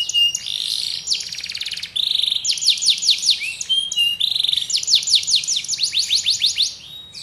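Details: Canary serpentine song with fast rolls of descending whistled sweeps, buzzy trilled segments and short held notes, delivered without pause in a clean recording with no background noise.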